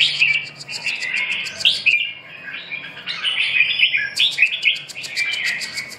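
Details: Red-whiskered bulbul (chào mào) in busy, continuous song: rich slurred whistles and chirpy warbles tumbling over one another, with a brief pause midway.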